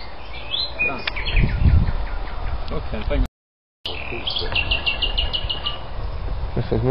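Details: Common nightingale (Luscinia megarhynchos) singing varied phrases of rapid repeated notes, including a fast series of sharp rising chips, at Algutsrum, Öland, on 14 June 2010, over low rumbling background noise and quiet human voices.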